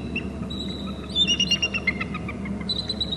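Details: Bald eagle perched on a babysitting tree at a Hornby Island nest and territory camera, giving shrill calls: a quick burst of high, thin chittering notes midway, over steady low rumbling background noise and a faint constant high tone.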